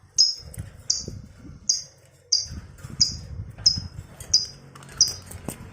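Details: Lovebird repeating short, piercing chirps about every 0.7 seconds over a low rumbling background hum, in a recording meant to provoke and train other lovebirds into the long ngekek trill.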